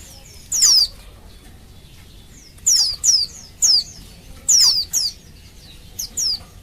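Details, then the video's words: Female Oriental white-eye luring males to sing with her call, a caged bird: about ten high, thin falling whistles in clusters of two or three, separated by short pauses, with quieter notes between. "Suara Burung Pleci Betina Memanggil Jantan, Pancingan Pleci Paling Ampuh Agar Pleci Cepat Bunyi"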